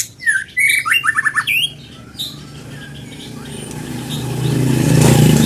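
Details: Scarlet minivet song: rapid bright whistled notes, some rising and some slurred downward, packed into the first two seconds, then a swelling low rumble like passing traffic.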